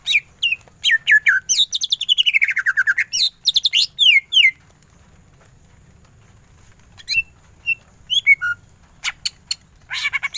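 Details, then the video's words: Greater green leafbird in full ngentrok song: a long, fast stuttering train of notes descending steadily in pitch, then after a quiet gap a scatter of sharp chips and whistles. "Cucak ijo gacor full tembakan ngentrok"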